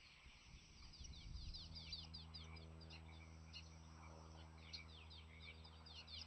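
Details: Bald eagles at their nest in Sidney on April 26, where an eaglet is out of the bowl and the mother arrives with greenery and feeds it. Faint quick series of thin, high, downward-slurred chips, with a low steady hum underneath.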